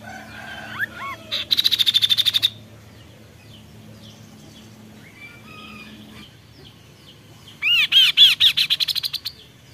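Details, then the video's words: Reed warbler giving two bursts of rapid, rattling high notes, each about a second long, with a few curved whistles between, over a low hum; used as a training song for cage birds. "Tembakan Mewah burung Kaso kaso"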